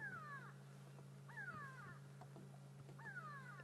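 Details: Alarm calls of grey go-away-birds at sunrise in Sabi Sand on 31 May 2016, thought to target a hyena; three loud falling nasal calls spaced about 1.5 seconds apart over a constant low vehicle hum.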